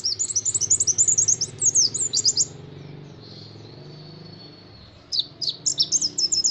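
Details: High-pitched rapid twittering from a white-eye (pleci) in 'nembak' style, long 'wit wit' runs. Quick chirps for over two seconds, a pause with faint hum, then another fast burst of sharp notes.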